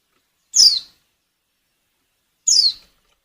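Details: Two clear, sharp downslurred notes, about two seconds apart, from a breeding-condition female white-eye calling to draw song from males for luring; silence fills the space between.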